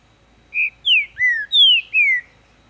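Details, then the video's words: Green-winged saltator raised in captivity in Ribeirão das Neves, Minas Gerais, Brazil, in full song: five rich whistled notes in a fast run, the first steady and the others slurring downward, against a quiet background. "Trinca-ferro cantando muito quente! Abrindo canto!"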